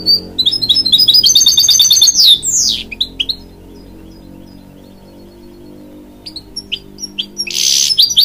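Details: Canary-goldfinch hybrid song meant to encourage young chicks: a fast, buzzy run of repeated high notes ending in a downward slide, then a pause and a second burst of twittering.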